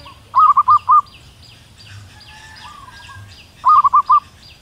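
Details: Female zebra dove from the wild calling to a male, giving clear phrases of four rapid rolling coos about three seconds apart, a softer coo in between, over steady high chirping from other birds.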